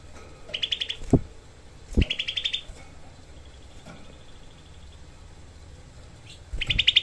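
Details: Grey-cheeked bulbul recorded as a tutor for songbirds. It gives short bursts of rapid, harsh, tightly packed 'tembakan' notes, three strings in all, separated by thumps and a quiet pause.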